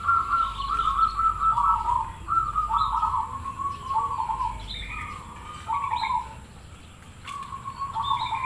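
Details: Cemani Krosing zebra dove song, meant to prompt other doves to answer and sing: a series of trilled, slightly falling coos near one pitch, separated by short pauses, with higher brief chirps from other birds between phrases.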